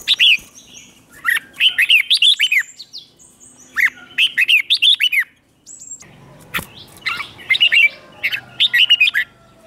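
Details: Red-whiskered bulbul singing in competition style to provoke rivals, voice-training recording: bursts of rapid, bright warbled notes rising and falling, phrases repeated about every two seconds with short pauses and faint background chirps.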